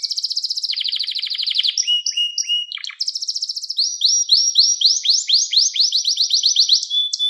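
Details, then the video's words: Canary song for training young canaries: a dense fast trill, short flat whistles, another trill, then a long run of rising whistled syllables speeding up toward the end. "Ders Gibi Kanarya Sesi Ve Ötüşü 2 Saat Kesintisiz"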